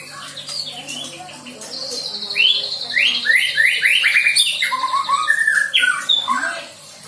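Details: Juvenile white-rumped shama learning filler song material, giving a rapid series of rising whistled notes over a sustained buzzy trill, then lower slurred phrases, with a faint hum underneath.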